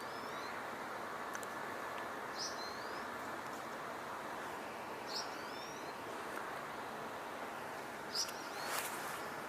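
American Goldfinch calls: thin, high, rising notes every second or two over a steady wash of broadband outdoor noise.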